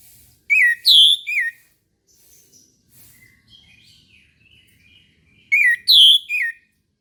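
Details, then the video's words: Morning song of an Orange-headed thrush: a bright three-note whistled phrase, repeated after about five seconds. Soft, faint warbling notes fill the gap between the phrases. "PANCINGAN ANIS MERAH TERBARU 2022 | BURUNG MACET LANGSUNG IKUT NGEMPLONG"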